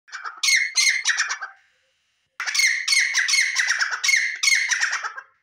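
A male grey francolin gives loud, harsh, squealing notes in quick repeated phrases, one short burst and then a longer run after a brief pause.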